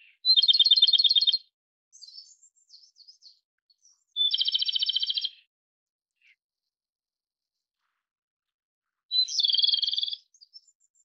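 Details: Japanese robin (Erithacus akahige) singing: three loud rapid trilled phrases, each about a second long, high-pitched and rattling, separated by pauses with faint thin chips and twitters between them.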